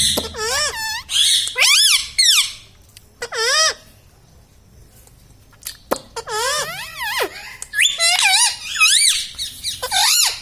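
Rose-ringed parakeet giving bursts of shrill, harmonic-rich squeaky vocalisations with rising and falling pitch, in several runs with brief pauses, indoors.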